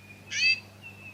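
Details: In Victoria, Australia, in August 2017, a White-fronted Honeyeater gives a single short, harsh, nasal call lasting about a third of a second, over a thin steady high whistle and a low hum.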